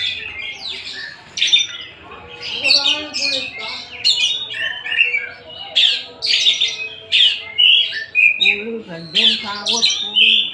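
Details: Oriental magpie-robin (kacer from Tasik) pours out a loud, varied song of scratchy chirps, sweet whistles and harmonic squeals, later shifting to evenly repeated phrases about once per second.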